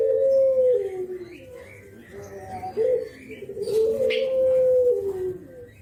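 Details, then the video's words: Javanese spotted dove, or brenggolo, nodding through its 'kuk geruk' call used as a lure; a long smooth coo, a soft gap, then a short double note and another sustained, falling coo, with a brief sharp noise midway. "KICAU KUK GERUK BURUNG JAWA BRENGGOLO"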